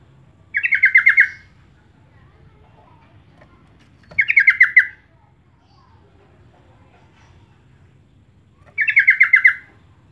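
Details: Sooty-headed bulbul lure call for attracting birds: three matching bubbly, fast-stuttering phrases, each about a second long, spaced roughly four seconds apart in otherwise quiet surroundings.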